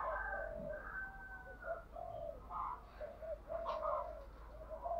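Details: Spotted dove used as a decoy, cooing continuously with shifting song patterns to make wild birds answer; a run of low, mellow coo notes, some slightly wavering, over a steady indoor hum.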